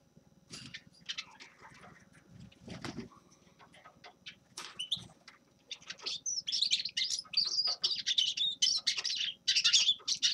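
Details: After several seconds of faint scattered sounds and soft knocks, a Grey-crowned goldfinch breaks into an energetic high twittering song of rapid chirps that fills the last four seconds.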